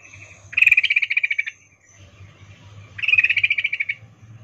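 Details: Female yellow-vented bulbul using a 'ngecuplik' mating call to summon a male: two long runs of rapid, evenly spaced chattering notes, each about a second, separated by a short gap, with a low hum throughout.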